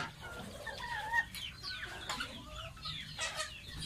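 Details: A baby domestic goose, a pet, calls while bathing with scattered high, sliding peeps and whistled notes over quieter dripping and light splashes.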